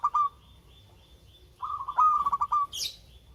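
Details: Local zebra dove with a sweet voice, used as a singing lure. Two short coos open, then a long stuttering phrase of quick pulsed notes, ending in a brief high chirp.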